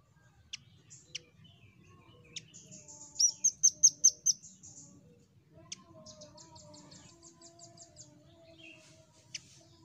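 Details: Velvet-fronted nuthatch song played to prompt other birds to sing: a fast run of about six loud, sharp, high piping notes mid-way, with scattered single high ticks and softer high trills before and after.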